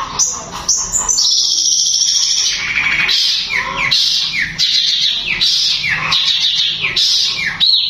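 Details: Long-tailed shrike singing a fast, tightly packed song said to stir other shrikes to agitation and singing: a dense run of high, scratchy notes and sweeping whistles in tight repeated bursts, with no other sounds.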